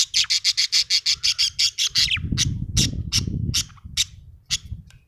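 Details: Happy pet budgie chirping: a fast train of about ten sharp, bright chirps in two seconds, then slower scattered chirps over a louder low rumbling background noise.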